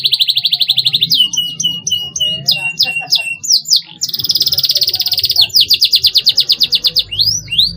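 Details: Canary song intended to get young canaries singing gacor fighter style: a fast pulsing trill, choppy downslurred notes, then long, dense, buzzy trills that are loud and sustained, with a low hum underneath.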